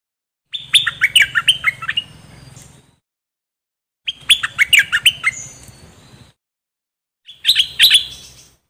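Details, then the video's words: Dok taeng bird singing, a recording used to teach young birds and excite them: three phrases of rapid, bright chirps, each phrase a run of descending notes followed by a short buzzy trail, with pauses between. "เสียงนกดอกแตงEp.2 ใช้หัดลูกนก เปิดให้นกคึก!!"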